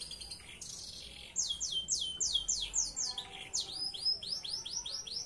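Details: Belgian Bossu canary song in its unique style, meant as tutor song for canaries: a brief rattle, then a run of quick descending swept notes, several per second, followed by rolling high chirps.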